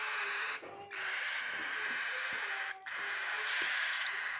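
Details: Three sibling cockatiel chicks, aged about 20 to 26 days, just after their first morning feed, give a continuous raspy, hissing rush of sound, dipping briefly twice, with faint low chirps underneath.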